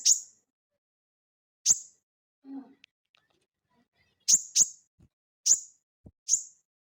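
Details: Crested jay, a lively singing bird in the ngeleper style, used as lure audio for cage birds: sharp, high, downward chips given singly or in quick pairs, separated by pauses of about a second.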